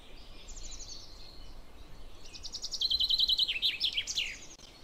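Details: A common chaffinch sings a bright, rattling song: a descending run of quick notes that speeds into a trilled series and ends in a flourish, over faint background noise.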